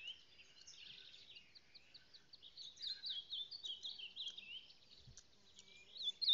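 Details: Singing reina mora, or ultramarine grosbeak, from the Salado, heard at a distance as a quiet, quick series of high chirped notes rising and falling, with a faint low thump near the end.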